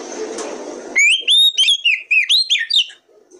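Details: Oriental magpie-robin, a caged kacer of the territorial fighter type, in a lure recording used to get other kacer singing; after a hissy start, a quick run of loud, clear whistled notes, some rising and slurred, several per second.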